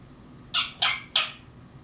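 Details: Grey parrot imitating mockingbirds with three loud, harsh, buzzy chacks spaced about a third of a second apart, against a low constant hum.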